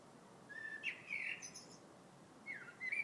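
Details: Bird singing in February: a few quiet whistled phrases, some drawn-out and level, others sliding upward, separated by pauses, over a faint steady background hiss.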